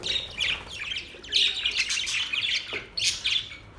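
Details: Budgerigar song, said to be a mating call: lively scratchy warble of rising and falling squeaks and buzzy chirps running almost without pause.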